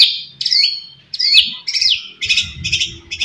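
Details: White-rumped shama, murai batu, in sharp song meant to provoke rival males: high whistled slurs and harsh buzzy bursts alternating in quick phrases, with a faint low rumble beneath.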